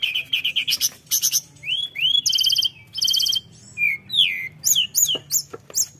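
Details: Flowerpecker singing at full pace to excite rival birds: repeated high tinkling notes, then buzzy chattering bursts alternating with clear rising and falling whistles, ending in quick sharp high chips.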